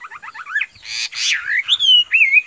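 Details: Chinese hwamei kept in a cage, singing a varied phrase: a quick series of short rising chirps, a harsh buzzy burst, then long sweeping whistles that climb and waver.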